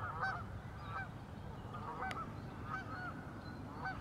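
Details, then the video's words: Geese honking on the Warner Park Lagoon, Northside of Madison, Wisconsin, USA: short nasal honks repeated at uneven intervals, some overlapping from several birds, over a steady low background rumble. "Geese in the Warner Park Lagoon"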